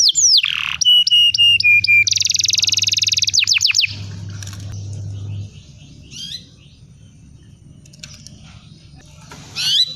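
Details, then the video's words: Canary song played to coax young canaries into singing: steady repeated whistled notes, then a dense rapid trill, then quieter scattered chirps with a low steady hum in the background. "SUARA BURUNG KENARI⁉️ Cuit cuit Memancing KENARI paud agar cepat BUNYI"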